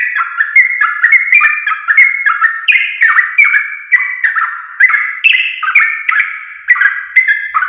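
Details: Sooty-headed bulbul singing, played to teach caged birds: bright, bubbling whistles in short clipped phrases of rising and falling notes, delivered rapidly and continuously with a regular pulse.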